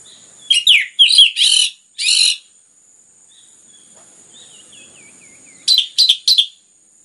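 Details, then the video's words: Orange-headed thrush in strong, continuous song used as a prompt for other birds: loud rich whistled phrases, a soft fading trill of looping notes, then three sharp high notes, over a steady thin background tone. "PANCINGAN anis merah ngeplong gacor rapat cocok untuk MERANGSANG bunyi tambah GACOR"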